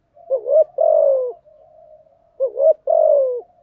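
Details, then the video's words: Two cooing phrases of a spotted dove, used for training new doves to sing: a short twin note then a long gently falling coo, separated by a soft low murmur. "tiếng chim gáy dùng tập chim bổi mới hiệu quả/ tiếng gáy kích bổi gáy ngay"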